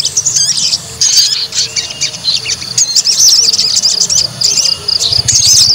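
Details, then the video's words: White-rumped shama song played to test a fighting bird's mental strength: bursts of high, sharp whistles and chattery phrases separated by short pauses. "PANCING EMOSI TES MENTAL FIGHTER SOGON"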